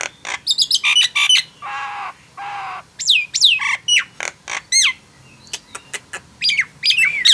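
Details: A Nias hill myna gives quick sharp notes, two long buzzy nasal calls, then clear descending whistles and scattered clicks with short silences, heard as prompting silent mynas to sing.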